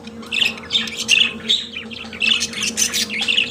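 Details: Pet budgerigar singing a soft, scratchy warble of quick high chirps and squeaks, continuous with brief pauses, over a constant indoor hum.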